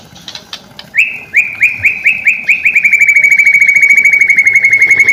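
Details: White-rumped shama lure song meant to get silent shamas singing: a few scattered high notes, then a long run of sharp, sliding whistled notes that speeds up into a steady rapid trill.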